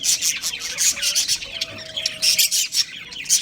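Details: Budgerigars, a breeding pair, give bright, high squeaky chirps in quick clusters, with short pauses between bursts.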